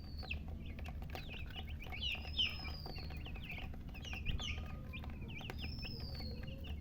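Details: Chorus of chicken chicks chirping: many overlapping short falling peeps, with a few longer drawn-out whistles and a constant low background hum.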